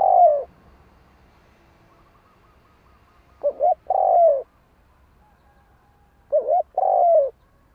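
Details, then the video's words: Spotted dove calling with low, soft coos, delivered as short paired phrases, a quick double note followed by a longer drawn-out coo, repeated about every three seconds in otherwise quiet surroundings. "Chim cu gáy gọi"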